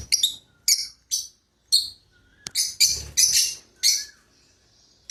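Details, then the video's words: Two pet lovebirds starting their day, giving sharp, high, shrill chirps in short bursts, some clipped and single, others run into rapid scratchy trills, with brief silent gaps between bursts and faint low rustling underneath. "Love Birds Starts their days"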